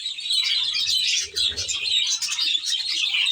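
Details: Budgerigar flock in an aviary giving constant high chirping and warbling, a brief dip in volume near the middle, then the chatter continues at full strength.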